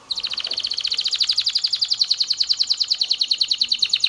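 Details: Canary singing to stimulate mating: one sustained, very fast, even trill of high bright notes, around ten per second, holding steady pitch throughout.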